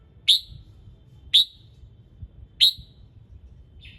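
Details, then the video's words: Red-whiskered bulbul in morning song meant to stir other birds into singing: a run of sharp, high chip notes roughly once a second, each short and bright, over low background hum. "Chào Mào Hót Sáng Nhiều Âm Hay | KÍCH CHIM HÓT THEO LIỀN"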